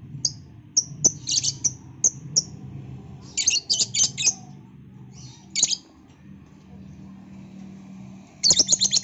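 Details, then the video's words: Lovebird making noise in the afternoon: short shrill chirps spaced irregularly, with bursts of three or four rapid squeaky notes around the middle and a quick harsh cluster at the end, over a low hum. "Burung Lovebird Berisik"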